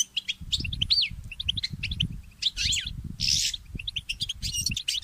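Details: Early-morning mule goldfinch song: high chirps interspersed with looping, arched whistled notes and a buzzy rattle, delivered in lively phrases over soft low background knocks.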